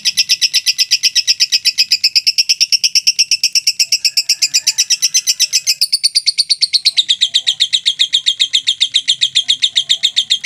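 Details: Sustained long ngekek from a mentil lovebird: over ten seconds of unbroken, machine-gun-fast high buzzy notes, the pitch stepping up slightly around six seconds and the rhythm never pausing.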